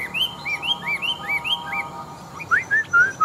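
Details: A large, old wild-caught Chinese hwamei, a bold fighting bird with a forest voice, sings a run of six looping rise-and-fall whistles about three per second, then louder sliding notes, over a faint hum.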